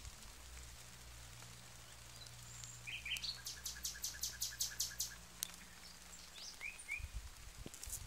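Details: Nightingale delivering a few warbled notes, then a rhythmic series of about a dozen sharp, loud, evenly repeated strokes, ending in soft chirps, over a low steady hum.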